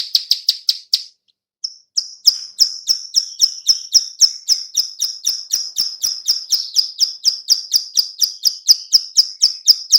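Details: Female bar-winged prinia clicking call, used as a lure: a few quick clicks, a short gap and a lone note, then a long unbroken series of sharp high clicks, about four per second.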